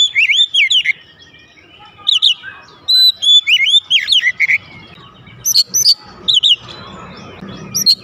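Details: Loud, vigorous song from a kept oriental magpie-robin answering straight away: bursts of twisting whistles and sharp high chips in short groups separated by brief pauses, with a faint steady hum behind.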